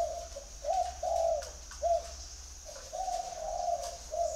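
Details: A spotted dove's mellow coo phrase: two short coos, a long rolling note, a brief coo, then another extended rolling coo, over a faint low rumble and a steady high whine.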